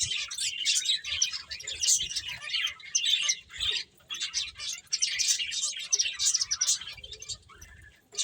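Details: A group of finches at play, a steady tangle of high, quick chirps and tweets from many birds at once, with brief lulls between bursts of overlapping calls.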